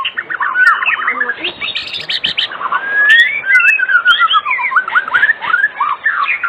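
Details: Oriental magpie-robin song played as an evening lure for other magpie-robins: dense, varied warbling with rising and falling whistles, fast chirps and slurred notes throughout.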